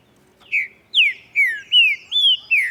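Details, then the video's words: Saltator similis, the green-winged saltator, singing at dawn while displaying: six clear, loud whistled notes, each sliding downward, delivered about every two fifths of a second in a rich, even phrase against a quiet background. "VEJA O TRINCA-FERRO CANTANDO E OUÇA COMO É GOSTOSO COMEÇAR O DIA OUVINDO O CANTO DOS PÁSSAROS."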